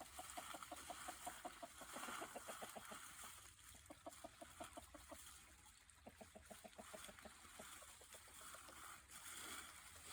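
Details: Free-range chickens gathered for mealworm treats give rapid, low, pulsed clucks in long runs, close to two per second, overlapping from several birds, with a steady broadband hiss and faint splashing behind.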